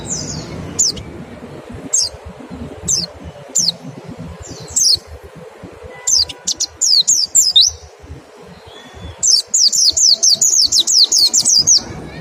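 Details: Mountain white-eye singing in the 'nembak' style, mixed with 'ngecal' lure phrases meant to stimulate fast singing: sharp, very high chirps and upslurred whistles. They start scattered and quicken into a rapid, even series of bright notes near the end.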